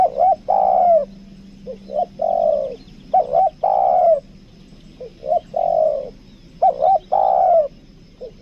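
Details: Caged lure spotted dove from Lombok cooing in 'kuk dua' style: about six even phrases over eight seconds, each of two quick low notes and a longer falling coo, with a faint hum behind.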